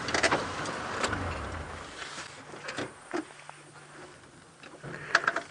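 Vehicle noise with mechanical whirring and clicks, low engine hum and scattered knocks; no animal voice is heard.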